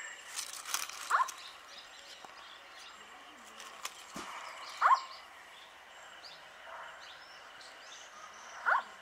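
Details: Indian scops owl calling at night near Sikar, Rajasthan, India, on 7 April 2020: three short, clear, low hooting notes, each slightly falling, spaced roughly four seconds apart over faint rural background hiss and soft clicks.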